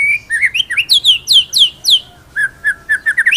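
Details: White-rumped shama in rolling 'ngeroll nembak' master song for training birds: a series of loud descending whistled slurs, then quicker short rising notes repeated several times.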